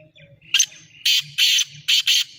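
A black francolin gives a harsh, grating call: one short rasping note, then two pairs of loud, scratchy notes in quick succession, with faint low rumble behind.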